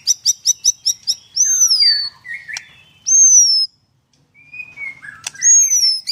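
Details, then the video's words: White-rumped shama singing 'nembak' at a bird farm in Kendal, Indonesia: six quick high chips, then long pure whistles arching upward and falling, with short lower notes between. "Murai batu nembak sebelah mati"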